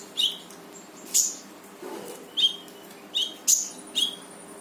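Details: Brown-throated sunbird (konin) singing gacor full tembakan to get a reluctant bird singing: six sharp, high, clipped chirps spaced about half a second to a second apart.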